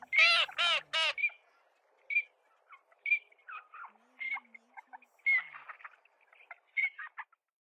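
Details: Eurasian teal (Anas crecca) calling: two loud, harsh nasal calls open, then short, clear 'krrick' whistles repeated about once a second, with soft twittering between.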